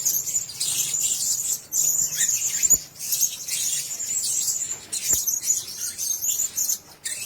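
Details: Blue-crowned hanging parrots kept together in one cage, giving dense, very high-pitched shrill twittering chirps that overlap almost continuously, with brief pauses and a few sharp clicks.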